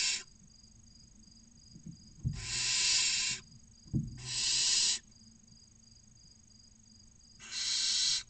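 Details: Barn owl chicks, six nestlings aged 16 to 29 days, inside a nest box near Casa Palillos, Cabañeros National Park, Castilla-La Mancha, Spain, waiting for food: three long harsh hissing screeches about a second each, with faint thumps of movement.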